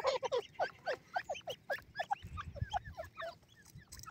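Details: Francolins kept by bird fanciers, Dakhni and black francolin, a run of short, hoarse, downslurred notes repeated about four per second, fading toward the end, with faint low rumbling.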